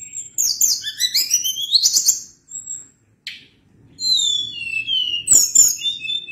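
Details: Sunda blue robin song in a long rolling delivery: a rapid series of rising, slurred whistles climbing in pitch, a short gap with a single rasp, then descending whistles and high trills.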